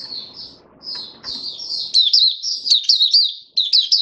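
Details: Captive Oriental white-eye (mata puteh raja) on its fifth day after a monthly deworming, singing a fast, high, continuous jumbled twittering stream of thin warbled notes, with faint low rumble at the start.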